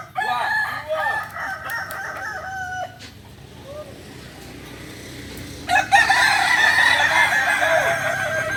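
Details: Kokok balenggek roosters gathered in Solok for group practice; a cluster of tiered crows fills the first three seconds, then a softer interval, then loud overlapping crowing resumes near six seconds.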